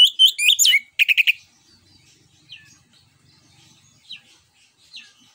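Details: Lure song of an orange-headed thrush in ngeplong style, used to prompt other birds to sing: two fast phrases of bright, ringing whistles in the first second, followed by scattered soft, faint notes.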